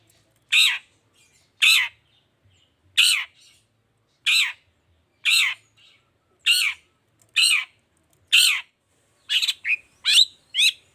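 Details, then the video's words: Long-tailed shrike giving a 'toet toet' style song to make lazy shrikes respond: loud harsh downslurred notes spaced roughly one per second with clean quiet gaps, quickening into a closer run of short calls near the end. "Suara Cendet Gacor Toet toet"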